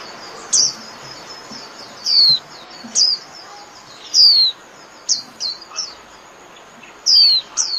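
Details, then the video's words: Japanese white-eye calling the flock: separate thin, high, downward-sliding chirps, some in quick pairs, spaced irregularly. "Chim Vành Khuyên (Chim Khuyên) hót gọi bầy"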